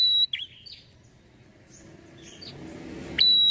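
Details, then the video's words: Red-headed prinia provoking call: a steady high whistle and a chirp open the sequence, faint scattered chirps follow, and a second long whistle closes it. "PANCINGAN PRENJAK KEPALA MERAH,GACOR UNTUK MEMANCING EMOSI PRENJAK AGAR CEPAT NYAUT."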